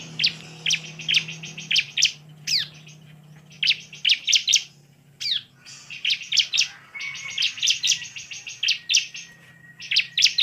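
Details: Bar-winged prinia song of high, buzzy, rapidly repeated chirping phrases in quick bursts with sharp whistled notes, over a faint low hum; used to provoke other prinias into singing aggressively and persistently.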